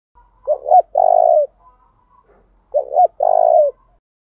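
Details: Spotted dove used as a decoy to lure and provoke rivals into a singing contest: two full phrases, each two short clipped notes followed by a long, low, steady coo, about two seconds apart, with faint softer coos between.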